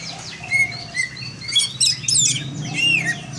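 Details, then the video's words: Greater green leafbird song: varied whistled phrases, short clear notes and rapid downward-sweeping chirps and trills, rising in density toward the end over a low steady hum. "burung cocak hijau"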